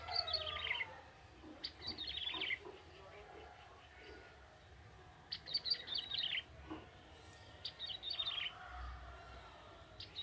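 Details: Young male bar-winged prinia from the wild forest singing vigorously, giving three quick, high, descending twittery bursts several seconds apart, with soft scattered chips in the pauses.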